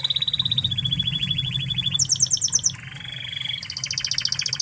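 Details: Spanish Timbrado canary from Spain, a master for training other canaries, sings level trills that step from one pitch to another, a higher rattle, then a fast high roll, over low background noise.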